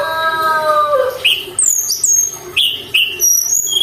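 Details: Mountain tailorbird singing actively, used as a lure to stir other birds. A steady harmonic tone at the start, then a series of high, thin whistles, each sliding down, spaced about half a second apart.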